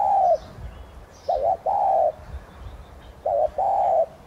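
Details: Spotted dove of subspecies tigrina used as a decoy, calling in the thúc gù style to stir other doves into singing; a long coo ending, then two mellow phrases of paired short notes and a sustained hoot, light chirping in the background.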